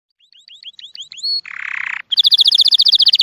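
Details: Songbird singing: a run of about seven quick rising slurred notes, then a harsh buzzy burst, then a loud rapid trill of high pulses.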